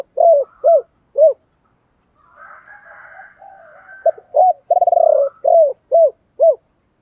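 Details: Spotted dove, male and female, chieu ba hau song used to get other doves singing: crisp short arched coos in quick succession, a pause filled with a soft low murmur, then a stuttering coo and more clipped notes.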